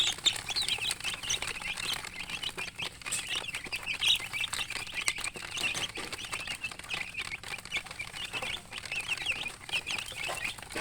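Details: Chicks, young chickens, peeping continuously: a dense overlapping flock of high, brief chirps with no pauses, steady loudness throughout, over a soft low hum.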